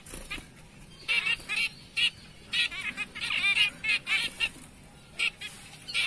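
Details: Zebra finches of the BB and Light Back colour forms give short, nasal, honking calls in quick irregular bursts.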